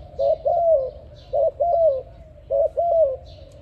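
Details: Spotted dove cooing: three short low coo phrases in quick succession, each a soft hooted note followed by a longer wavering coo, repeated about once a second, over a faint low hum.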